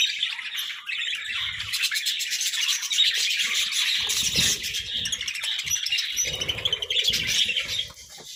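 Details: Budgerigars at a vegetable meal, chattering continuously with high trilled chirps and scratchy warbles, accompanied by intermittent low knocks and pecking noises.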